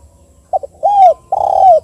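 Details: Single 'KUK 2' phrase from a tekukur, the spotted dove, used as a lure call for other doves: two quick short notes, then two long, husky coos that rise slightly and fall away.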